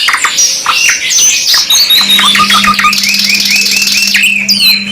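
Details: A 2 in 1 canary master recording: busy high warbling gives way to a string of evenly repeated arched notes, with a buzzy trill above and a constant low hum beginning midway.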